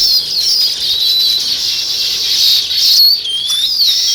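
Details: Sparrows chirping without a break: a loud, continuous wall of rapid high-pitched chirps and twitters from many birds at once.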